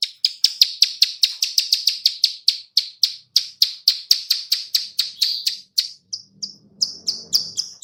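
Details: Clicking of a female bar-winged prinia, a call used to lure birds that answer at once. A fast run of high dry ticks slows gradually, with a brief gap and a few spaced clicks at the end, plus faint low rustling.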